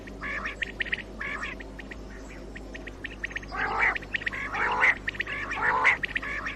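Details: Common quail calling for use in morning hunting: soft, scratchy notes at first, then three louder buzzy calls about a second apart, each with a sharp bright note.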